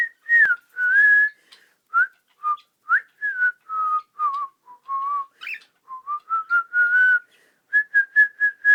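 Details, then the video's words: Pet cockatiel rehearsing the melody "Kotori no Uta", a continuous run of pure whistled notes that bend, dip and hold at a middle pitch, closing with a quick row of short repeated toots. "オカメインコ 小鳥の歌を練習中"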